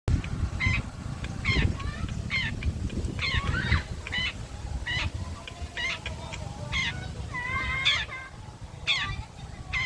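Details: Long-tailed shrike of the blangkon variety, sunbathing at midday: harsh, scratchy notes with layered overtones, given roughly once a second in short bursts over a steady low rumble.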